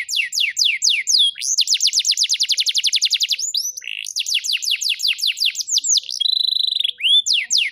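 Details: Canary singing in Rembang, Indonesia: loud, bright, high song of fast repeated notes in long rolling trills, swooping downslurred phrases and a brief flat buzzing passage, with no other sounds.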